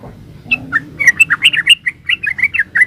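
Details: Short run of yellow-vented bulbul 'ropel uplik' song, a lively master track: quick chain of chirpy, bouncing whistled notes, each slightly varied in pitch, delivered almost without break.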